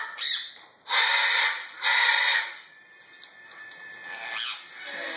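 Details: A very young male Meyer's parrot, eating and flinging food in his new cage at night, gives two harsh, raspy squawks about a second apart, while his sibling beeps in the background and people talk nearby.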